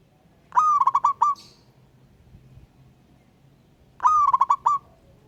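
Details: Native zebra dove calling out to challenge a rival, giving two bursts of rapid, bubbling, stuttered cooing notes about three seconds apart, with near silence between them.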